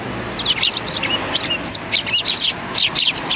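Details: Several sparrows in front of a cultural hall on 7 February 2020 chatter in a greeting, bright twittering chirps tumbling over one another in lively bursts.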